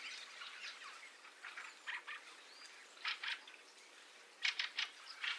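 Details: An influx of Fieldfares with a starling roost behind them, recorded in stereo XY plus iPhone: scattered rasping chack-like bursts in short groups of two or three, separated by pauses, above a continuous roost murmur.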